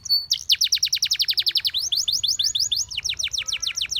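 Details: Canary singing, offered as song for teaching canaries: a brief whistle, then a long fast trill of rhythmic repeated notes shifting in pitch partway, continuing as a rapid rattle.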